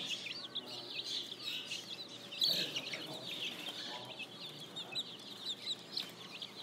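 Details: Many spring chicks cheep busily. The high, slurred chirps run together into a steady chorus with brief louder peaks.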